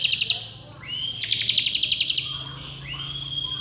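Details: Fast ngebren singing from a bar-winged prinia, used as tutor material for contest birds: a dense run of about fifteen quick high ticking notes, framed by long smoothly rising whistles.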